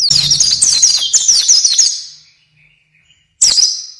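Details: Pleci, the oriental white-eye, delivers a loud, dense burst of high, slurred, twittering notes for about two seconds. After a short silence, a sudden bright phrase follows, sung as isian gacor.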